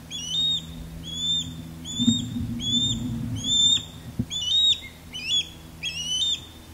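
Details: Courting Osprey, male sky dancing over a backyard while a female calls from high in a longleaf pine: evenly spaced, shrill upslurred whistles roughly once per second, some notes doubled, with faint low background rumble.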